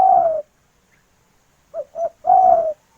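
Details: Female spotted dove calling to a male: a long falling coo, a pause, two short clipped coos, then another long descending coo, low and mellow, in a quiet setting.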